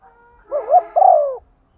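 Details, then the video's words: Single phrase from a female spotted dove calling in 'gáy gọi' style to stir decoys: a brief wavering coo rising into a second note, followed by a longer full coo that droops away. "tiếng chim cu gáy MÁI thúc gù, tiếng chim cu gáy mái gáy gọi"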